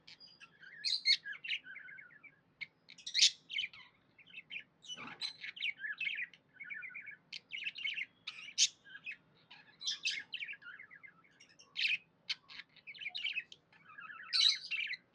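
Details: Happy pet budgerigar giving a long stream of chattering chirps, grouped in bursts of warbles and sharp tweets separated by short gaps, fairly steady throughout.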